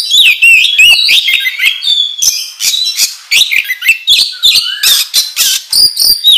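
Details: Oriental magpie-robin (kacer) in an excited ngobra song used as a lure: rapid bursts of harsh chatter, high squeaks and whistled slurs, repeated about three times a second.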